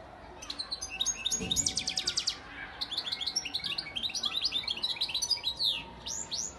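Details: European goldfinch, a breeding father bird from Antalya, Turkey, recorded in 2018, singing rapid high twittering phrases: bright chirps and tinkling notes run together in dense bursts, with a short pause near three seconds before resuming.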